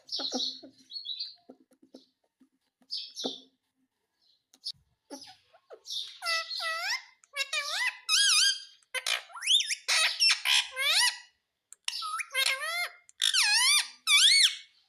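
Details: Talking pet parrot imitating speech, said to say "mummy": after soft quiet sounds, a run of loud, high, nasal syllables with rising and falling pitch bends in short bursts, separated by brief pauses.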